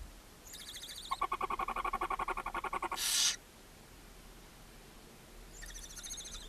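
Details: Barn owl mother feeding her seven owlets in a Hungarian nest box at Ságvár, May 2024. A fast, rattling twitter of evenly pulsed notes for about two seconds ends in a sharp hiss, and a softer pulsed burst follows.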